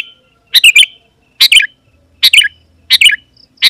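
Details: Sooty-headed Bulbul song for calling rival wild birds closer: five rapid bubbly phrases in under four seconds, each a tight cluster of chirps sliding downward, with a faint hum in the gap.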